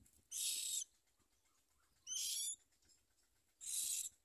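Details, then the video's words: Common myna chicks begging while being fed by their mother: three loud, harsh, hissing bursts high in pitch, each about half a second long, spaced roughly every one and a half seconds over quiet background. "Common myna Baby Birds eat food and bite their mother"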